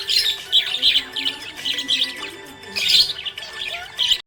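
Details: Bursts of high, scratchy twittering from a happy budgerigar, loud clusters separated by softer warbling, set against faint music before the sound cuts off abruptly.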